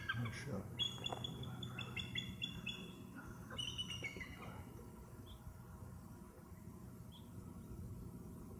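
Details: Bald eagle calling from a backyard overlooking Skagit Bay, Camano Island, Washington, on a hot summer evening just after sunset, 28 July 2009: a series of thin, high, squeaky chittering notes in quick runs over a low steady background rumble.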